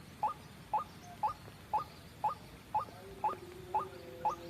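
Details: Trapping lure of a white-breasted waterhen: crisp, short rising notes repeated at a regular two-per-second pace, with a faint thin whistle-like tone entering near the end.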